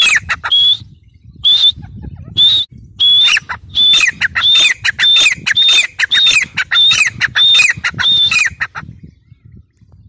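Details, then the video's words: Grey francolin giving harsh calls with whistled notes, starting with spaced single calls, then speeding into a rapid run of repeated phrases before stopping near the end; faint low background noise. "Teetar awaz | teetar sound | gray francolin teetar sound"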